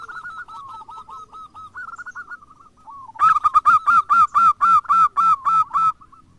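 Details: Zebra doves, local and crossbred, used as a lure to prompt other doves into song; softer rapid cooing gives way to a loud, even series of bubbling staccato notes, close to four per second, ending abruptly.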